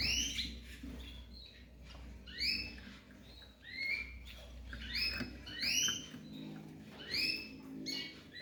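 A young yellow-fronted canary and canary hybrid sings a high, bright twitter of arched, chirping notes in bursts about once a second, over a low steady hum.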